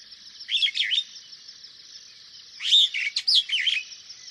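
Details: Superb starling calling in two bursts of rapid, chattering warbled notes that slur up and down, over a steady high background hiss.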